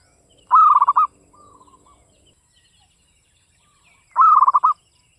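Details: Local zebra dove of Java singing the classic Mataram rhythm: a strong phrase of one long coo and rapid beats, a quieter answering phrase just after, then a second loud phrase.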